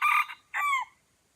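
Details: Aceh red junglefowl, with two wild birds approaching a lure bird, finishing a crow: a harsh burst, a short pause, then a drawn-out note that falls in pitch and fades.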